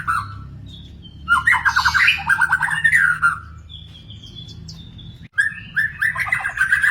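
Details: Wild magpie-robin giving harsher, scratchy chattering phrases mixed with rolling whistles, then a steady high whistle and more vigorous warbling toward the end.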